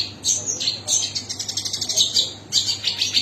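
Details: Long-tailed shrike singing short, shrill, chattering phrases of quick high notes, one rapid trill in the middle, then a loud burst at the end.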